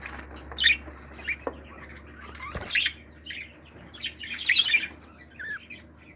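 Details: Budgerigar chicks from a 2018 family of pearl budgies, indoors: scattered raspy chirps and short squawks with quiet gaps, a low steady hum underneath and faint rustling.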